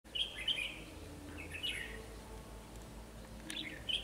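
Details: Red-whiskered bulbul used as a decoy bird for trapping, in Vietnam: short bright warbled phrases, fluttering and slurred, in bursts at the start, middle and end, over a low steady hum.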